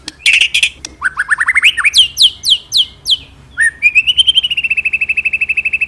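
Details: Magpie-robin in vigorous song, used to stir pet birds into singing; buzzy notes, a run of rising slurred whistles, then steep falling whistles and a fast even trill to the end.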